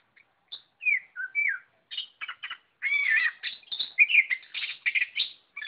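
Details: Oriental magpie-robin singing in full, vigorous gacor style: varied whistled phrases, slurred notes and buzzy chattering bursts in quick succession, separated by short pauses, with a clean background.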